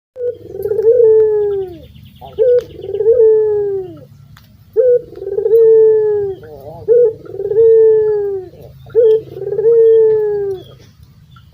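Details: Local Barbary dove, a vigorous caller, kept for training songbirds, giving repeated coos about every two seconds: a short sharp note, then a long, low, gently falling purring coo. Five phrases in a steady rhythm, with faint background noise.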